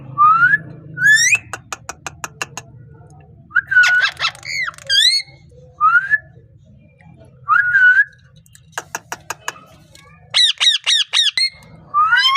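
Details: Short upward-sliding whistles from a parrot described as speaking, mixed with sharp clicks and a cluster of quick looping notes near the end; steady low hum in the background.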